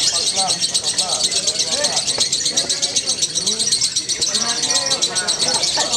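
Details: Lovebird singing in the 'konslet' style at the Love Bird Award 2018 competition in Solo: a continuous, very high, rapidly pulsing chatter of about four pulses a second, with people talking loudly underneath.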